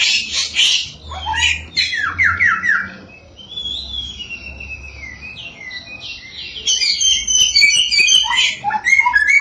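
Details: Samyong singing to goad other samyong birds into song; loud scratchy bursts and a fast run of descending notes, then quieter thin trills, then a varied, whistled sequence that grows louder.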